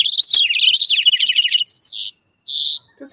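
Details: California Towhee, a common brown ground-feeding bird of Calero County Park oak woodland, gives a rapid, high, squeaky chatter for about two seconds, then a brief pause and one sharp drawn-out squeal.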